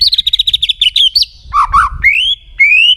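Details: White-rumped shama song for prompting other shamas to sing: a fast stuttering trill of high notes, then lower warbled phrases and long rising whistles.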